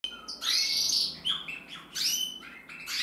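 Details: Male red mosaic agate canary from a canary breeder, recorded 1 November 2024, sings short varied phrases: bright whistled notes and quick buzzy trills, separated by brief pauses, in a quiet room.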